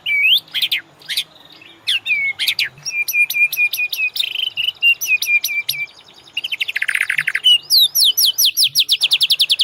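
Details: Master song of the white-rumped shama for training caged birds: clear rising whistles and sharp notes, a rasping burst, then a long fast series of bright repeated rising notes.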